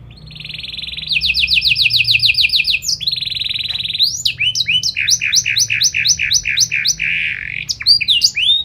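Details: Canary delivering 'gacor' song with 'cengkok istimewa' phrasing, meant to set other canaries singing: an even trill, a fast series of clipped notes, another trill, then rhythmic doubled rising-falling whistles repeated about three times a second.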